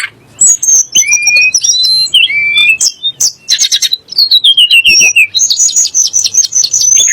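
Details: Sunda blue robin, whose song is used to make magpie robins and shamas agitated: continuous varied whistling with a descending series of slurred notes, then a fast, high, rattling trill.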